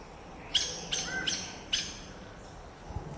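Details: Banana araçari (Pteroglossus bailloni), also called saffron toucanet, gives four sharp, squeaky high notes about every 0.4 seconds, followed by a quiet pause; faint background hiss.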